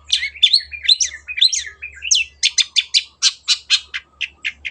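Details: Long-tailed shrike song opening with twisting, warbled whistles, then shifting into a regular series of sharp harsh chips about three per second; recorded for training other caged birds.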